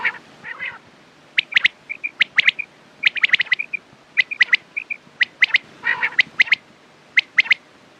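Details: Quail calls for morning and night: a rough buzzy opening, then busy sharp high doubled notes mixed with soft, short whistled chips, and another harsh burst near the end.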